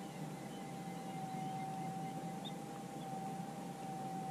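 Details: A low, constant engine or boat drone hums throughout, with one steady tone running underneath and no clear animal calls.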